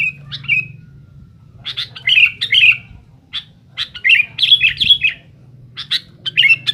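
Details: Noisy challenging song of a sooty-headed bulbul aimed at rivals, scattered whistled notes building into clustered bright chirps and slurred phrases, with gaps of quiet and a soft low background hum.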